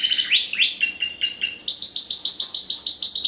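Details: First-generation cross of a Spanish Timbrado canary with a wild-type canary, bred in 2015 to strengthen the line: buzzy descending notes give way to a fast rolling trill of bright repeated notes, about three per second.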